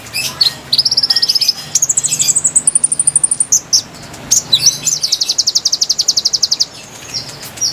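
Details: Konin song meant to lure wild birds: high rapid trills stepping upward in pitch, a few sharp chips, then a long fast rattling series of thin notes over a low hum.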